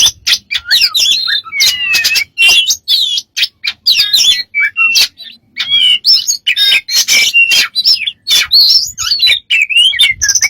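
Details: Dense, nonstop medley from a bird with many strange sounds: quick chirps, twisting whistles, dry clicks and scratchy buzzy notes, tumbling one after another with only brief gaps.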